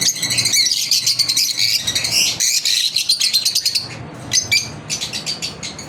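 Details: Pet lovebirds on a daily routine give dense shrill chattering that thins after a few seconds into spaced, clipped chirps.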